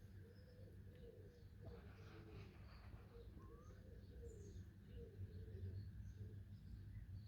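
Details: Backyard chickens resting in the morning under a favourite bush, giving soft, low, wavering murmured notes in a loose series, with steady background hum and faint higher chirps.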